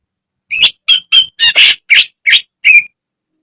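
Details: Greater green leafbird kept in a cage, from a training recording, gives eight fairly harsh, buzzy chirping notes in an even string lasting about two and a half seconds.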